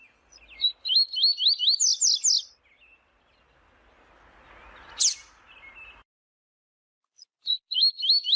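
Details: Double-collared seedeater in the tui tui song style: a string of repeated rising whistled notes climbing into a buzzy high ending, then a faint hiss with a sharp click, and the phrase resumes.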